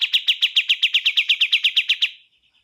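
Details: Bar-winged prinia uttering about fifteen crisp, identical notes at roughly seven per second, each sharply clipped, before the series fades into a faint trailing tone.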